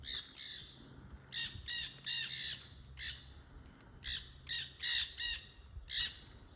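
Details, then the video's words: Noisy parrots on a trail, calling in loud, harsh, grating squawks, single and in quick doubled or tripled bursts, separated by short pauses, over faint low background hum. "Noisy Parrots on the trail"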